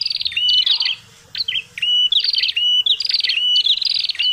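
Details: Prinia known locally as prenjak kepala merah, a noisy call used as a bird-catching lure: harsh buzzy rasping bursts, each with a short level whistled note, repeated in quick succession with one brief pause.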